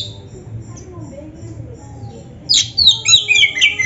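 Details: Oriental magpie-robin (kacer) gacor song to stir up a reluctant caged bird: about two and a half seconds of near quiet, then a sudden burst of bright, jumbled high whistles and chirps.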